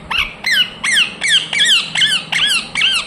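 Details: Rose-ringed parakeet repeating a shrill, falling squawk seven times at a steady pace of roughly two per second, each call rasping and clear.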